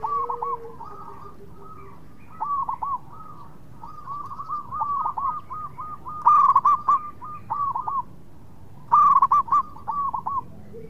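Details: Local Indonesian zebra dove singing actively, used as a lure so rival birds answer quickly: rolling, bubbling coos in dense runs of dipping notes, with louder bursts near six and nine seconds and a faint low steady tone at the start.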